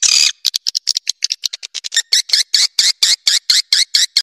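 Swiftlet chatter: a quick run of short, dry, high-pitched clicking chirps, about five per second, getting louder and more even toward the end. No other sounds.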